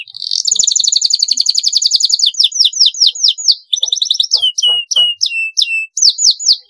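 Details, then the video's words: Energetic canary pouring out a long rolling song for training other birds: a dense, fast, buzzy trill gives way to repeated sharp descending whistles and chirps in quick series, with faint clicks beneath. "kenari GACOR panjang PANCINGAN MASTERAN masuk, SUARA kenari ngeroll panjang"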